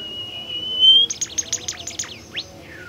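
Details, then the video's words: Rare, shy bimoli bird provoked with a lure recording: a steady whistle slowly rising, then a burst of harsh buzzy chatter and a couple of falling slurred notes. "burung bimoli DIJAMIN NGAMUK dan GACOR dengan pancingan bimoli ini"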